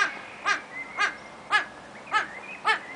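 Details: Satyr tragopan (Tragopan satyra) at Artis zoo, Amsterdam, sings five loud, harsh wailing calls, about two per second, almost like a crying child, with a faint thin whistle behind.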